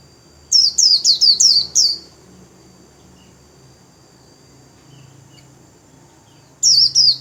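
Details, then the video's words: Japanese white-eye kept as a cage bird, singing the líu song while spreading its wings: a quick burst of six high, sharp, downslurred chips, a long quiet pause, then a fresh burst of rapid notes. "KHUYÊN LÍU XÒE CÁNH CỰC KỲ ĐẸP - CÁCH GIÚP KHUYÊN MAU LÍU"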